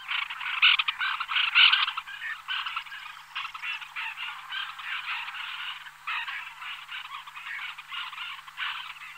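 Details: A small flock of white-winged terns (Chlidonias leucopterus) calling in flight: harsh, rasping calls, roughly one a second, loudest in the first two seconds, then overlapping more softly.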